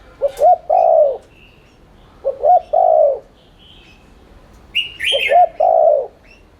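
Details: Repeated 'thúc' cooing of a spotted dove, a lure for prompting doves to coo: three low phrases each of clipped double notes and a long, round, falling coo, plus a bright chirping bird over the last phrase.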